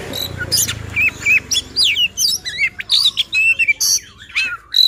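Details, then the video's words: White-rumped shama luring song, a fast jumble of whistled, slurred notes and squeaky chirps in quick succession, with a low rumble at the start. "Suara Pancingan Poci | Kicau Kacer Gacor"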